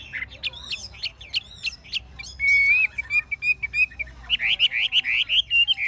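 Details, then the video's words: Chinese hwamei, old and wild-caught, kept caged, singing a genuine forest-voice song: bright chopped whistles, a long sustained clear note, then a fast series of rolling, repeated phrases. "Họa mi già rừng chuẩn giọng rừng hay"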